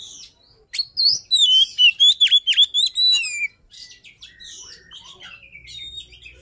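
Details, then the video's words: Luring song of a poci-type Oriental magpie-robin: after a brief pause, a loud, dense sequence of clear whistles and sharp down-dipping notes about four per second, fading into softer, scratchy twittering. "Suara Pancingan Poci | Kicau Kacer Gacor"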